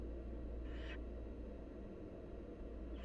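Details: Nestling barn owls, wild, begging as the mother brings food: one short airy hiss, then another starting at the end, set against a constant deep background hum.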